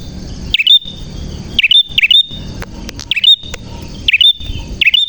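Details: Bar-winged prinia singing energetically: hooked, chirpy whistles followed by quick ticks, in bursts about a second apart over a continuous faint high tone.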